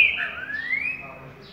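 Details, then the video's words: Green-winged saltator song heard at waking: a bright rising whistled phrase, sweeping upward and fading out in under two seconds. "#TrincaFerro CURRUCUTIL BOI"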